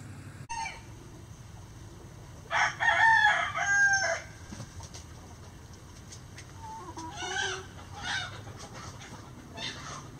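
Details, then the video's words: Rooster crowing before dawn as the flock leaves the coop: one loud harmonic crow of about one and a half seconds, then a second, fainter crow a few seconds later over a low steady hum. "Rooster Crowing Chicken Sounds"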